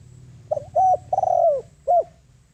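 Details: Spotted dove used as a ground lure for wild birds, giving one full cooing phrase: two short soft notes, a drawn-out descending coo, and a crisp closing hoot.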